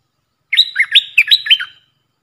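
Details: Puff-throated bulbul decoy bird, its call used to train young hand-fed birds and fledglings: a burst of five quick, slurred chirping notes that jump up and down, lasting just over a second, with no other sounds.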